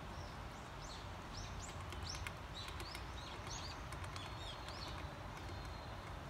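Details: Varied tit recorded in spring while eating sunflower seeds: a run of short, high, arched chirps, repeated quickly one after another, with a few faint taps and a steady low rumble behind.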